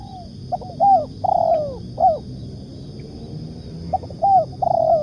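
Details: Tekukur cooing as a trapping lure: clipped introductory notes, an arched coo and a long falling coo, then a pause before the same phrase starts again. Quiet low hum beneath.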